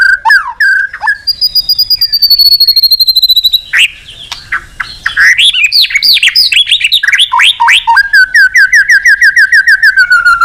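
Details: Actively singing white-rumped shama, used as a lure to call a rival: sweet whistled notes, then a rapid jumble of varied chirps and slurred whistles, closing with a long fast trill that drifts slowly downward.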